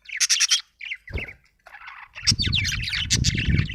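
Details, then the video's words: Budgie giving a quick series of sharp high chirps, then broken chatter and a longer run of squeaky trills over a low rumbling background noise. "budgie chirping sound"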